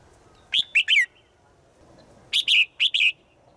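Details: Female bird calling to a male, said to call every day in the forest: high, sharp chirps with a quick downward slur, given in two clusters of three to four notes about two seconds apart, over faint background hiss.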